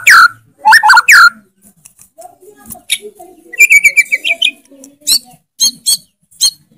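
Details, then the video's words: White-rumped shama (murai batu) singing actively, its song full of loud rapid bursts: sharp whistled notes near the start, then a fast rising buzzy trill followed by spaced, clipped harmonic chips, with faint low murmurs underneath. "MURAI BATU GACOR FULL ISIAN TEMBAKAN KENCANG, KICAUAN YANG SANGAT MENGGAIRAH KAN MURAI BATU ISTIMEWA"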